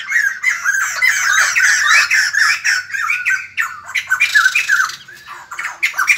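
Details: White-crested laughingthrush singing to greet the morning: dense, harsh, squawky chattering with overlapping bursts of rising and falling notes, loud and nearly continuous, a brief quieter spell near the end.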